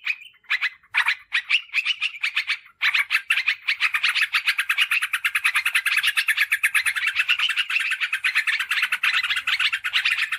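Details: Sooty-headed bulbul call played as a lure for wild birds and as a tutor for kept birds: a dense, fast stream of sharp chattering notes, nearly continuous after a few brief opening bursts.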